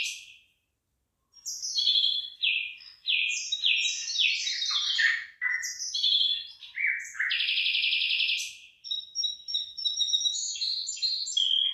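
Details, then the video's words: Songbird in rice fields with ripening rice: a long, lively run of high chirps, slurred whistles and buzzy trills after a short silence, notes tumbling fast and varied with a sustained buzzy trill near the end. "ฟังเสียงนกร้อง เพราะมาก"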